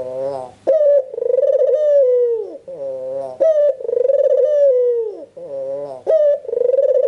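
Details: Albino Barbary dove with red eyes calling to stimulate other doves: repeated long rolling coos, each a sharp onset then a sustained trilled tone slowly falling in pitch, separated by softer harmonic breaths, about every two and a half seconds.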